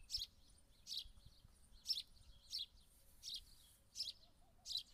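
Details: A house sparrow repeats short, high-pitched chirps about seven times in five seconds at a loose, uneven rhythm; each note is a brief, bright burst over faint low background noise.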